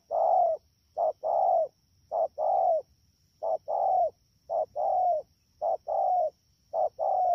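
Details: Wild-caught spotted dove, Đak Tô, Vietnam, 3 October 2019, calling fast: about seven paired coos, a crisp short note and a longer rounded note dropping at its tail, repeated near once a second over a faint steady whine.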